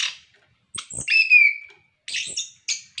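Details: Orange-headed thrush, captive, singing to prompt other birds: a high thin note, then a clear descending whistled slur, followed by two short scratchy bursts.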